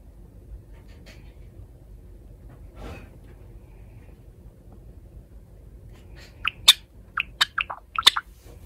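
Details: A white Java sparrow in moult breaks a quiet room with a quick burst of sharp, clipped chip notes, about eight in two seconds, after a long hush.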